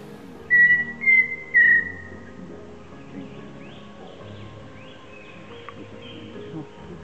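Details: Pheasant cuckoo, a secretive bird of southern Mexico's lowlands, gives its melancholy, far-carrying whistled call: three clear notes about half a second apart, the last slightly longer and wavering and higher-pitched than the first, over faint background sound.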